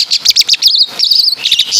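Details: Javan Asian pied starling singing imitations of caladi and kapas tembak: fast high chirps, then a drawn-out buzzy whistled phrase, then more rapid squeaky notes, all loud and close.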